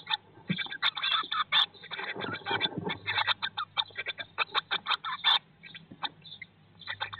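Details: Eurasian blue tit in a nest box on day 19 after hatching, first egg hatched 19 May 2022: dense bursts of rapid, buzzy, high chattering notes, packed closely with short gaps, over a low steady hum.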